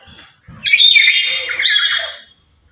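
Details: A very talkative, loud lory, active daily and used to lure and tutor other lories, lets out one long, raspy, grating screech lasting close to two seconds after a brief faint sound.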